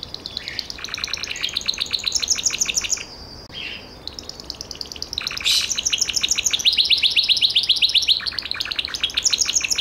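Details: Gloster canary in steady song, rapid buzzy trills of short repeated notes, a brief lull near the middle, then denser, louder chattering tours that run to the end.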